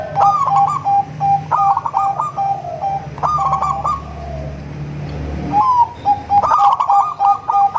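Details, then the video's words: Melodious song of a local crossbred Bangkok zebra dove used to draw in other zebra doves: several trilled coo bursts ending in short repeated notes, a quieter pause midway, low hum beneath. "Perkutut lokal#krosing#bangkok suara merdu untuk memancing perkutut anda"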